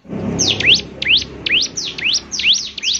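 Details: Gacor song of the bar-winged prinia (ciblek semi), claimed to make other prinias respond: a rhythmic series of piercing V-shaped sweeps, falling then rising, about two per second, over a low rumble.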